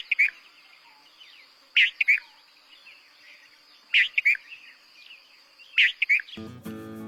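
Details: Red-vented bulbul, a songbird common in Bengal's towns and villages, singing its tune rendered as 'tiu-tu-tul': short, loud, bubbly two-part phrases repeated about every two seconds over a steady high whine, with music starting at the end.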